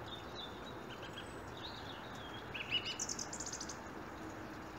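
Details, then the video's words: Wild birds singing outdoors at 7am on a January morning, 24 January 2017, possibly blackbirds and a robin; thin high whistled phrases and a quick twittering trill rising over steady background hiss. "Birdsong 24/1/17"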